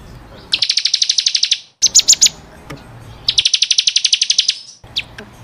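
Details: Bar-winged prinia (ciblek kristal) singing, used as training song for caged birds: short bursts of rapid high trilled notes, about a second each, broken by brief gaps and a few louder chips.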